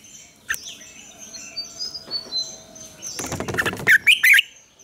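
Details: Red-whiskered bulbul morning song used to train other birds, mature wild double-note style: a soft chirp, some rustling, then three loud rolling warbled notes close together near the end.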